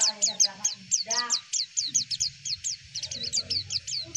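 A white-eye sings a fast, high twittering of short sweet notes, about two to three per second, with a brief lower warble and faint background rumble.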